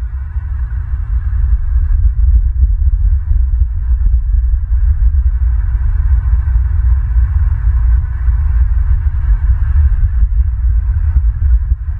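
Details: Only a continuous deep roaring rumble with faint higher hiss is heard, and no animal calls.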